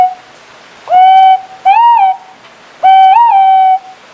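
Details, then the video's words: White-bellied green pigeon (Treron sieboldii) singing three mellow, flute-like whistles, each steady and mid-pitched with a brief wavering rise in the middle, in a quiet setting. "綠鳩/White-bellied Green-pigeon(Treron sieboldii)singing"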